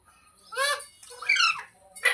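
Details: Pet parrot kept at home utters three harsh nasal squawks, each with stacked bands, the middle one longest and rising then falling, separated by brief pauses.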